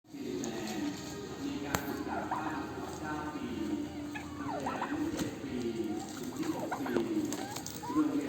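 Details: Turkeys during mating: overlapping low, harmonic calls with curved, sliding notes in the mid range, a steady murmuring hum underneath and a few sharp clicks.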